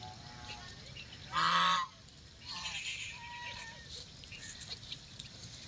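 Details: Pet white call duck (domestic duck) gives one loud, nasal, brassy quack, followed by a few softer, shorter quacks over steady background hiss.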